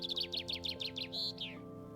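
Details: Common Chaffinch song played back as an example most people would recognise: a rapid series of bright, falling trilled notes that speeds into a final flourish, over soft ambient music.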